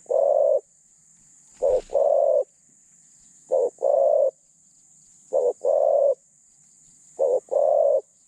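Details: Spotted dove kept caged as a decoy to lure wild doves, medium voice with thin phrasing; four evenly spaced coo phrases, each a brief double note then a sustained hollow note, roughly every two seconds, one sharp click early on.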